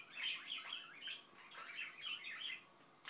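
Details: Soft warbled mutterings from a pet Indian ringneck parakeet, two blurred runs of chattering syllables with a brief pause between.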